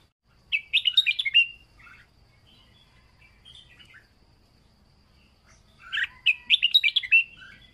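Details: Red-whiskered bulbul song in the plai loi style, used as a training recording for caged birds: two bright, rapid bursts of warbled, chattering whistles near the start and end, with softer scattered notes between and a quiet background.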